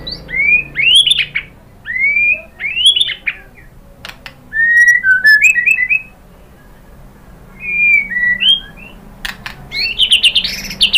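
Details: White-rumped shama song for stimulating other birds to sing back: mellow, whistled, arching phrases repeated in bursts, some downslurred, ending in a busy flurry of high notes.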